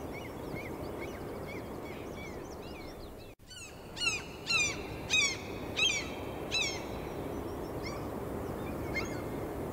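A gull gives six loud, harsh, downslurred calls about a second apart. Fainter chirps from smaller birds come first, over a steady low rumble of wind or surf.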